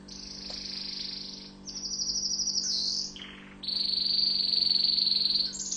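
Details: Tunisian orange canary, known locally as mfa7el, in song made of long sustained trills at high pitch, changing to a brief lower buzzy tour and back to a fast shimmering high roll.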